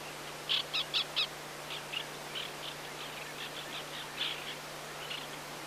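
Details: White-winged Black Tern, a passage migrant, recorded on Yonaguni and in Mongolia: a fast series of short sharp chirping notes, first four loud and evenly spaced, then fainter ones scattered over a steady background hiss.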